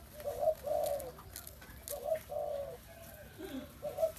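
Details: Spotted dove giving a quick series of soft, husky coos in paired low notes, one phrase after another, against a quiet hissy background.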